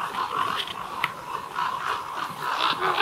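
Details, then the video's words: Communal roost of over 200 common ravens, boosted audio: a constant wash of overlapping rough, croaking calls from many birds, with no single caller standing clear. "Raven roost"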